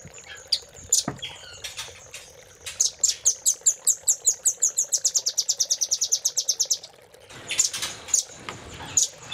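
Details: Velvet-fronted nuthatch song used as master training audio for caged birds: sharp high chips, then a fast even trill of about twenty notes lasting four seconds, followed by scattered chirps.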